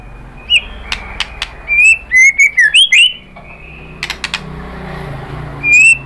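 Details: White-rumped shama lure song, sung to provoke rivals: sparse sharp clicks and short clear whistles, then a quick run of bright ringing notes, a pause, and a final whistle.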